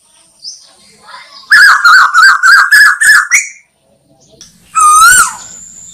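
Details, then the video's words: Asian koel call used to lure birds for hunting: a loud, quick sequence of about eight clipped notes, then a pause and a single strong wavering whistle. "Tiếng Tu Hú Mồi Bén Nhất Cho Ná Thủ"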